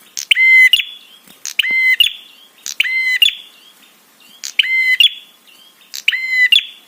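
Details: Prinia delivering the 'trapi' call to provoke other birds and rouse them: five or six loud harmonic buzzes, each ending in a sharp tick, spaced about a second and a quarter apart.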